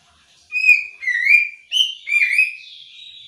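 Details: Female Oriental magpie-robin in ngobra call meant to prompt a male to call: a few loud whistled phrases, flat then sliding down and up, with short gaps, ending in a faint trailing tone.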